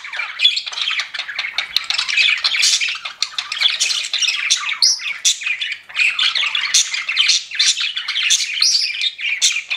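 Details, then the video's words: Pet budgies keep up a busy stream of chirps, squeaks and harsh warbling notes, overlapping one another with barely a break, in a small indoor space. "CUTE PET BUDGIES CHIRPING"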